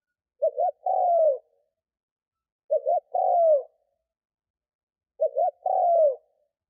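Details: Decoy spotted dove cooing to draw wild doves: three evenly spaced phrases, about every two and a half seconds. Each has a twin short note followed by a longer coo that drops in pitch.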